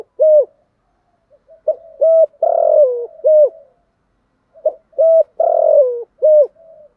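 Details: Decoy spotted dove calling to draw wild doves into answering. Two similar cooing phrases about three seconds apart, each a short clear note, a longer husky drawn-out coo and a final clipped note, low and steady.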